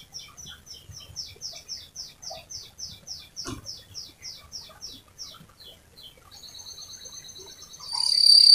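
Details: Chirpy canary in a long rolling song, played to lure other canaries into singing: a crisp chain of high down-slurred notes, a single click, then a smooth steady trill growing louder at the end.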